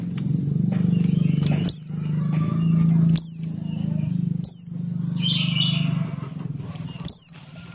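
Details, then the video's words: Oriental white-eye, Buxtoni type, singing ngalas as a lure for other white-eyes: high, thin, descending whistles roughly every one and a half seconds, partly masked by a loud continuous low droning hum. "pleci Buxtoni ngalas 12345 pancingan pleci bahan agar cepat bunyi"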